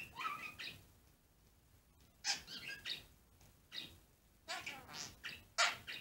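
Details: A pet budgerigar chatters in short, scratchy bursts of warbles and sharp chirps while interacting with its owner's finger.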